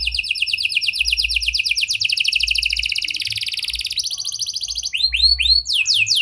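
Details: Lure song of a canary with prenjak and lovebird style phrases, meant to set stalled canaries singing: dense rapid trills shifting in pitch, ending in sharp rising whistled notes repeated in quick succession.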